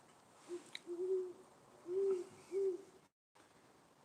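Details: An owl calling very close by, near a roof, in what is described as its mating call for the season: four soft, low, hollow hoots in about three seconds, the longer ones slightly drawn out, against a quiet room background.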